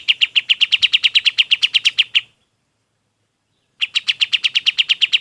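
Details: Golden-bellied gerygone singing, a recording meant for training other birds: a rapid string of sharp, high repeated notes for two seconds, a long silence, then the same rapid notes resume.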